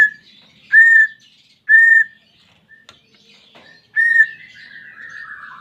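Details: Greater green leafbird, a pet bird, heard in a therapy recording meant to make a silent bird sing: steady level whistled notes repeated about once a second, ending in a long falling buzzy trill.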